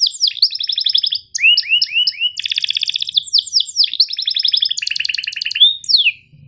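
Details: Canary masteran song in the sharp chirp-and-roll style, used to tutor reluctant and young canaries: sweeping downslurred whistles, then fast buzzy rolled trills alternating with crisp chirps, ending in a steep falling note.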